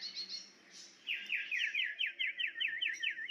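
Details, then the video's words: Wild sooty-headed bulbul singing a fast run of about ten bright, bubbly notes, roughly four per second, after a few faint high chirps. "Kicau burung sirtu"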